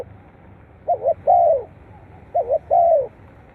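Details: Two cooing phrases from a spotted dove, played to encourage captive doves to call. Each is a brisk doubled note and then a longer, fuller coo that slides downward, spaced about one and a half seconds apart.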